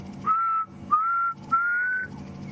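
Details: A black cuckoo calling in the background during a summer sunset safari in the Greater Limpopo Transfrontier Park, giving three drawn-out, mournful whistled notes, each gently rising, the last longest and slightly highest, over a faint low background hum.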